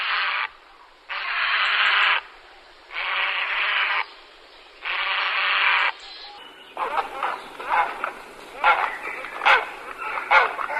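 Grey heron giving loud, harsh, croaking calls about a second long, repeated every second or so, then a rougher stretch of ragged, grating calls.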